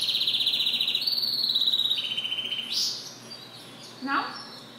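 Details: A singing goldfinch mule delivers a long, buzzy, rattling trill, stepping down slightly in pitch partway through, followed by a brief upward sweep and a lower rising note.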